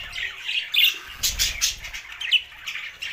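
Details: Budgerigars giving harsh squawks and scratchy chirps in short bursts, a few sharp rising notes standing out above the busy high chatter, with low thuds in the middle.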